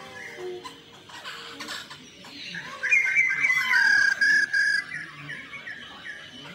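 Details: Black-throated laughingthrush giving a fighting song: loud, clear whistled phrases sliding between high and mid pitch for about two seconds after quieter, scattered notes.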